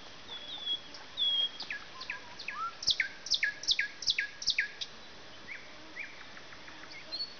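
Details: Singing nightingale: thin whistles and a slurred note lead into a fast rattling run of repeated sharp, clicking notes, followed by quieter whistles, all over steady outdoor background noise.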